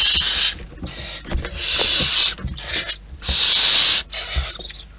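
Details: At a wild barn owl nest, rasping hiss-like screeches come in uneven bursts, some short and some near a second long, with soft scuffling and low thumps in the pauses.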